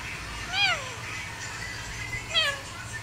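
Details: Parrot copying a cat sound: two bright, arched meow-like notes nearly two seconds apart, rising briefly then dropping, against a low steady hum and faint indoor noise.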